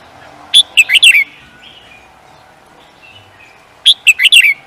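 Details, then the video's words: Bird used in singing competitions utters two identical rapid phrases of five or six shrill, down-slurred chirps, about three seconds apart, with faint softer whistles in between. "The Beautiful Bird singing"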